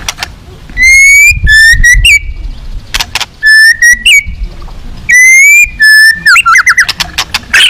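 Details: White-rumped shama at a song contest, described as fierce with rich fill-in phrases: loud clear whistles held near one pitch with strong overtones, in bursts about half a second long, broken by sharp clicks and short upslurred notes.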